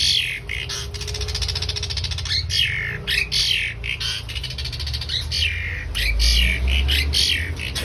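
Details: Black-collared starling singing vigorously: loud harsh squawking strokes, many sliding downward, repeated in quick bursts over a steady low background hum.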